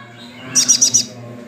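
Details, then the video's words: Tame, brown-chested sunbird, kept as a singing bird, giving four quick, very high, sharp chirps in rapid succession, evenly spaced, over a faint steady low hum. "Kolibri ninja dada coklat jinak gacor"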